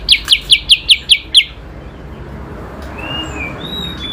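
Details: A kutilang sutra bulbul in a singing duel with a kacer gives a quick run of seven bright, slurred notes, about five per second, then stops; faint thin whistles from another bird follow.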